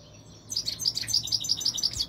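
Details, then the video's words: A European goldfinch sings a short, rapid run of about a dozen clear, high, liquid notes in quick succession, with a faint low hum underneath. "تغريد طائر الحسون الملكي 2021 / jilguero chant chardonneret"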